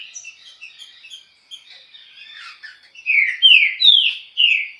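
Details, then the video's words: Chucrinho song of a green-winged saltator sung at high speed: quiet rapid twittering, then four loud descending whistled slurs about half a second apart. "Trinca ferro.( Chucrinho )muita velocidade."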